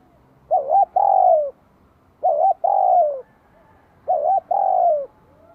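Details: Spotted dove from Vietnam singing in the bell-voiced style, welcoming spring 2023: three phrases about two seconds apart, each a short wavering coo and then a long, slightly descending coo, with a quiet background.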